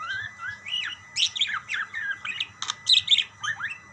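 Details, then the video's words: Budgerigars calling to one another with quick rising and falling warbled chirps, scratchy bursts and a few sharp clicks, a steady busy chatter of high notes. "burung parkit bersautan"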